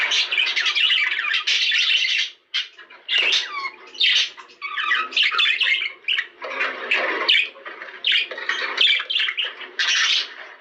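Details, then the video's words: Budgerigars, caged indoors, singing to stimulate mating: continuous scratchy chattering warble with squawks and buzzy notes, busy and overlapping, broken by one short pause. "بهذا الصوت ستتزاوج طيور البادجي غصبا عنها"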